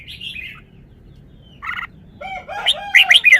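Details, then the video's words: Red-whiskered bulbul in a cage giving its phrased song. A soft, warbled note and a short buzzy burst are separated by quiet gaps, then loud, rapid whistled notes cluster together at the end. "นกกรงหัวจุก จ้าวมาดี สำนวนดี"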